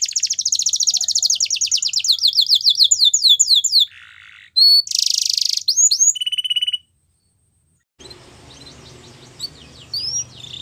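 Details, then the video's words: A yellow canary sings a training song for young birds. It opens with a rapid run of sweeping notes, then brief buzzy rattles and a steady trill. After a short pause come faint scattered notes over a low hum. "Yellow Canary Singing | The Best Canary Training Song"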